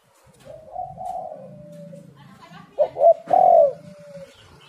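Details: Spotted dove calling on a recording used as a lure to make other doves call: a soft, long cooing phrase, then two short loud coos and a final stronger drawn-out coo that fades off.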